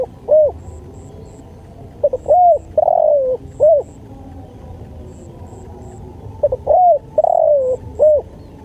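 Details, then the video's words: Spotted dove, a masteran recording for training and luring, gives three-part cooing phrases: a couple of stuttered notes, a long warm descending coo and a short arched coo. Faint high chirps sound in the background. "MASTERAN SUARA TEKUKUR"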